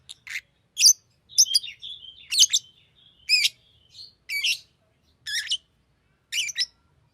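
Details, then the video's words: Lovebird singing its heart out with trills and chirps: scratchy high notes mixed with thin whistled tones, repeated about once a second over seven seconds in a quiet setting. "Lovebird singing and chirping sounds"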